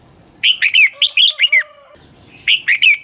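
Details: Red-whiskered bulbul in dueling song, used as a lure bird: two close bursts of loud, slurred whistled notes falling in pitch, with a steady low tone running underneath.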